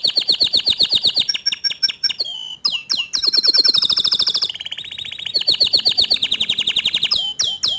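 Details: Long, loud canary song, young birds answering a prolific singer: fast buzzy trills alternate with pulsed rattles, swooping whistled notes and short pauses, the phrases shifting in pitch every one to two seconds.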